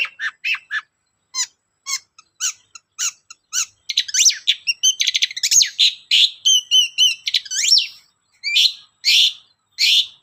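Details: Long-tailed shrike performing a lure song to make other shrikes sing: a long, varied stream of scratchy chips, buzzy rasps and short whistled notes, building into dense rapid chatter before slowing to spaced harsh notes.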